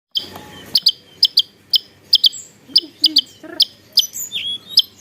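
Javan tesia singing: sharp, high chipping notes, often doubled, repeated about every half second, with a few thin whistles and faint low sounds behind.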